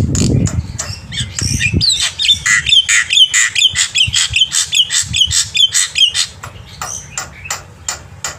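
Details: Morning song of a black-winged myna meant as a tutor for young birds, a rapid run of metallic chips and squeaky whistled notes pulsing about twice a second, over a low steady hum and early thumps.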